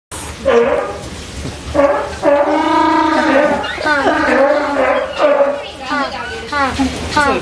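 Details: African penguin (Spheniscus demersus) at an aquarium in Ise, Japan, gives loud, donkey-like braying honks, rich in harmonics and rising and falling.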